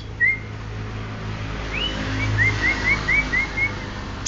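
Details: Greater green leafbird of the genuine Banyuwangi type: a short whistled note, then a run of about seven quick, rising-falling slurred whistles at a steady pitch, over a low background hum.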